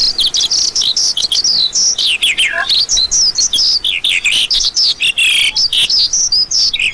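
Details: Lark pouring out a dense, unbroken high warble of rapid twittering notes, with slurred rising and falling phrases tumbling over one another.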